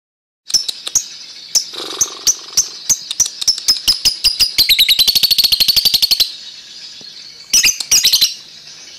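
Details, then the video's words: Lovebird singing in the ngekek style: sharp, high chirps spaced apart, quickening into a fast, continuous rattling trill of rapid chips for about two seconds, a short pause, then another brief burst of rapid chirps. "Love Bird Ngekek"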